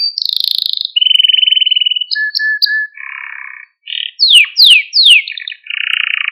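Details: A singing Malta canary, recorded to excite and teach canaries: a pure whistle and a steady trill, then soft chips, a buzzy roll, three sweeping downward slurs and a closing rattling tour.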